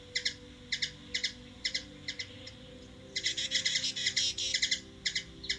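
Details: Washington DC, USA: hummingbird chips in spaced pairs, breaking into a dense buzzy chatter for about a second and a half before returning to separate sharp doubled notes.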